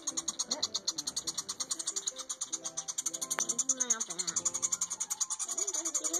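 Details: Rescued nestling songbirds, found after falling into a chimney, keep up a high, rapid, buzzy begging chatter of about eight pulses a second while being hand-fed wax worms, with people talking close by.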